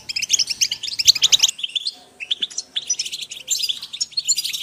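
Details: European goldfinch flock calling, for motivating birds: a lively burst of high jingling twitters, a brief lull with a soft slurred note, then scattered chirps building again.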